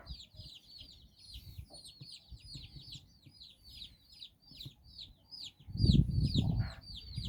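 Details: Nine domestic chicks on a walk with their hen in Bizkaia, Basque Country, giving dense high peeps that fall in pitch, several per second, before a loud low rumble near the end.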